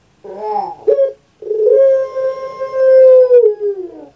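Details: Puter pelung dove kept at home in Indonesia: a brief gurgling, throaty opening, a short clipped note, then one long, smooth, sustained coo that slowly falls in pitch at the close.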